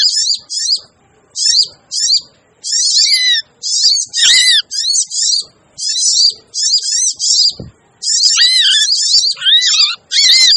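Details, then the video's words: Lure recording of the sogon bird, made to attract wild birds that are hard to lure. Busy, noisy phrases of high, sharp chirps and rapid downslurred notes come in bursts about every half second, with brief gaps between them. "suara pikat burung sogon ribut! cocok buat sogon yg susah di pikat"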